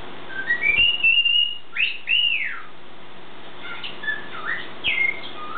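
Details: Pet bird singing indoors in the morning: a rising series of short whistles, then loud arched whistles that swoop up and fall, followed by quieter slurred whistles and a final down-slurred note, with a low background hum.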